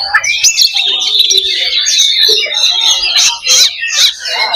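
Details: 'Loba' fighting simulation of Oriental magpie-robin song for building fighter spirit: clear whistled notes over rapid chattering and buzzy trills, loud and sustained, with short drops in volume near the end.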